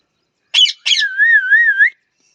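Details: Pet parrot giving two short harsh squawks followed by a long steady whistle that wavers gently up and down before rising slightly at the end.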